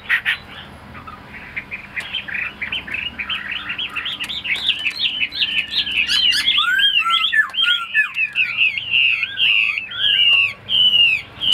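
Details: Caged male Chinese hwamei, tame bird, singing a long, fast run of varied whistled and slurred phrases that climbs and swoops, growing louder and denser toward the end with rapid repeated notes.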